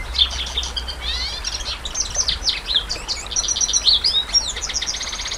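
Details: A canary trained on Cililin song sings a long, unbroken stream of rapid twittering notes, high whistles and rolling trills. A faint low hum sits underneath at the start.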